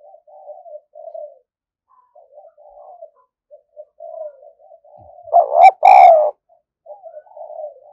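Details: Decoy spotted dove cooing eagerly: repeated soft, low coo notes about four a second, with one loud, harsh, strained double coo near the end before quieter cooing resumes.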